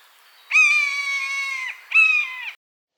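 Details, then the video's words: Buzzard, a bird of prey, recorded in its natural habitat giving two drawn-out, harmonic mewing calls, the first held for about a second and the second shorter, each ending in a slight downward slur; the background is otherwise quiet. "Buzzard Sound | Hear the Wild Call of a Majestic Bird of Prey"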